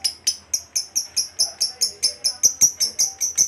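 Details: Lovebird, a fighter type, heard in a run of sharp high chirps repeated about four times per second, evenly spaced and steady in pitch, from a recording meant to stimulate other lovebirds to sing.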